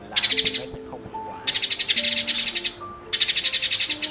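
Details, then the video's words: Sparrow lure recording used for trapping sparrows with nets and glue: three fast, bright bursts of a dozen or so high chirps each, over soft tonal music in the background. "Tiếng Bẫy Chim Sẻ"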